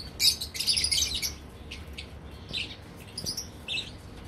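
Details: Lovebirds in a captive breeding colony: a burst of loud, shrill overlapping chirps at the start, then scattered short squeaky notes every half second or so.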